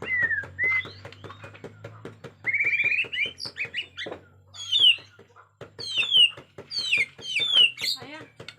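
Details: Agitated Bornean white-rumped shama with natural forest sound: loud, varied whistled phrases, some sliding down and others rising, separated by short pauses. Rapid, regular clicking or tapping continues throughout over a low steady hum.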